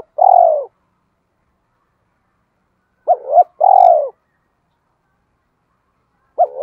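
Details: Decoy spotted dove of Hai Hậu, Vietnam, used to call in wild doves: a lone falling coo, a pause of nearly three seconds, then a double note and long descending coo, then another start.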